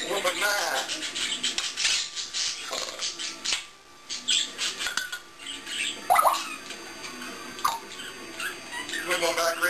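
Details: Pet African grey parrot chattering indoors after its owner walks out: dense clicks, pops and burbling speech-like noises with a few sharp squeaks, almost continuous throughout.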